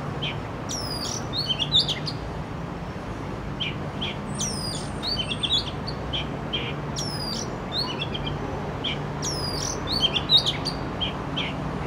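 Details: Oriental magpie-robin, urban recording on a Canon R6: repeated phrases of steep falling whistles followed by short chirps, recurring every few seconds, one long flat whistle, over low steady background hum.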